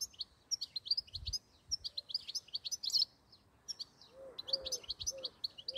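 A European goldfinch sings a rapid, tinkling run of bright twittering notes and liquid trills, with a few soft low whistles from another bird underneath.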